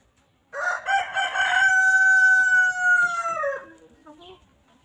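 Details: A cockerel in a flock of free-range farm chickens pecking at fresh grass in the countryside crows once. The drawn-out, even note lasts about three seconds and falls away at the end, followed by a few soft clucks.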